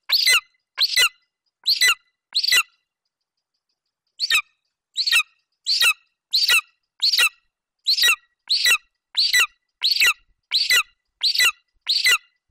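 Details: Golden eagle youngster, male, on the nest in Bucovina on 27 July 2021, calling over prey, a Eurasian hare brought by his mother. Four thin, screechy squeals come first, then a two-second pause, then a steady run of about twelve more.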